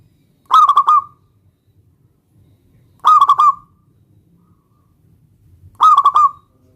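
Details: Local zebra dove singing to provoke a rival's reply: three evenly spaced phrases, each a cluster of quick clipped coos trailing into a smooth sliding tail, with soft low rumble between.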